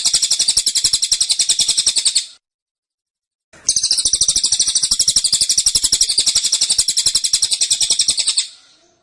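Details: Caged velvet-fronted nuthatch giving its tembakan song style, described as dense and insistent: high, rapid, evenly pulsed chattering trill, a burst of about two seconds, a short pause, then a longer five-second burst fading at the end.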